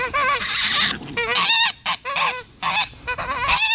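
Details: Two Sebastopol geese protecting their owner from dogs, honking almost continuously in loud, coarse, overlapping bursts broken by brief pauses.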